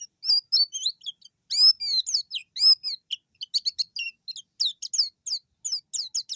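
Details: White-eye singing vigorously as if seeking a rival: a rapid series of high, thin, sharply slurred chirps and twitters, some grouped in quick clusters, continuing steadily throughout.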